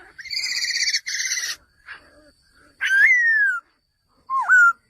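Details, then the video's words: Male laughingthrush calling: a loud harmonic trill, a second burst, then clear whistled notes that rise and fall, ending in a short dipping whistle. "#เสียงนกกระรางตัวผู้ #ສຽງນົກຖົ່ວດຳໂຕຜູ້"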